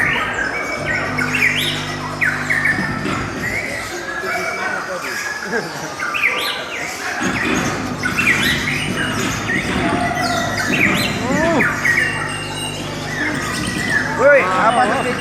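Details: Lovebirds sing a song described as beautiful and long: dense, fast chattering of short chirps and rising squeaky notes, with low droning hum beneath and people talking in the background.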